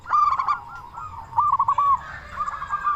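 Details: Zebra Dove singing with a big voice to encourage other doves to sing: a loud clicking opening, rolling coo notes, a drawn-out phrase, then a softer repeated ending.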